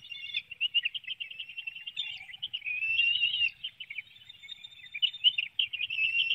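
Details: High, rapid chittering from bald eagles at a Hanover, Pennsylvania nest on a June 2019 morning while an adult feeds a small fish to one young and another hops and flaps. Quick squeaky notes run almost without pause.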